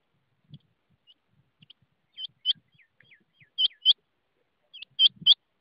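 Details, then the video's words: Rain quail repeating high, sharp two-note calls, three clear pairs rising in loudness, with soft low thumps and faint scattered chirps beneath. "rain quail voice"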